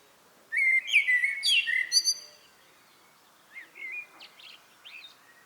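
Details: A common blackbird's evening song: a loud, full fluted phrase with high twittering edges, then a quieter run of softer chirps and whistles.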